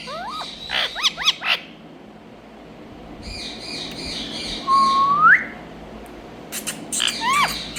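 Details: Green Indian ringneck parakeet vocalising; quick squeaky rising notes, a buzzy rasping stretch, then a long whistle that rises steeply at its end, followed by more squeaks.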